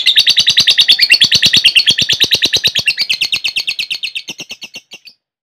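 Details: Ngekek of a lovebird, played to coax other lovebirds into song: a rapid, evenly pulsed high chatter that slowly weakens and slows over about five seconds before ending.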